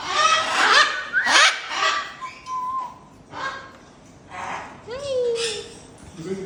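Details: Caged blue-and-yellow macaws at the Dubai pet market give harsh, raspy squawks and a few drawn-out whistled notes, several bursts in quick succession, with a busy background of chatter and other birds.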